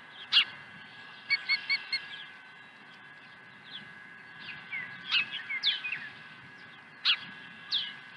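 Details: Osprey swooping to the Dunrovin Ranch nest with a second fish, 23 April 2020: scattered sharp high chirps, a quick run of short pips, then a cluster of shrill calls.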